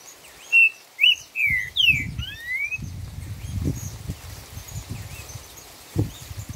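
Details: Green-winged saltator giving the song style called "4 notas boi": a short phrase of clear, slurred whistles, some rising and some falling, in the first two seconds, then low rustling and tapping noises.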